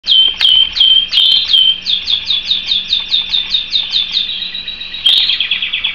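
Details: Pet canary singing a long rolling tour of identical downslurred whistled notes, about three per second, ending in a smoother trill, with a faint low hum in the room.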